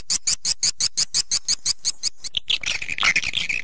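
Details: Swiftlet lure call used to attract swiftlets: a rapid, regular series of sharp high chirps, about three per second, then a burst of denser, noisier twittering.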